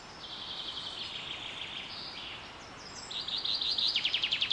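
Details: Spring birdsong at Carrizo Plain National Monument, California, USA, during a super bloom: high thin whistled phrases and trills from several birds, ending in a loud run of rapid repeated descending notes, over a steady background hiss.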